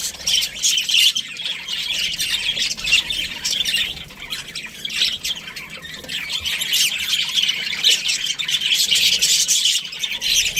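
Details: Australian budgerigars, a caged breeding pair, chattering continuously with dense, scratchy high chirps and squawks that overlap without pause.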